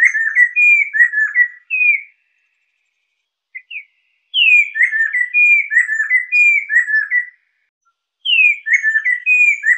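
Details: Chestnut-capped laughingthrush (poksai lesser) song used as a master and lure recording: loud whistled phrases of rapid rising and falling notes, bursts of about three seconds separated by short pauses, no other sounds.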